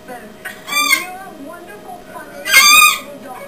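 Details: Pet Umbrella Cockatoo, five years old, getting excited at a television show, giving two harsh, broad screeches with a quieter TV voice murmuring beneath.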